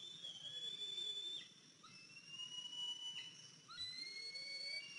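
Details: On 14 April 2023 at 10:57 am, a 103-day-old eaglet, back at the nest after fledging and walking with a limp, gives drawn-out high whistled notes, each held about a second, over a steady background hiss.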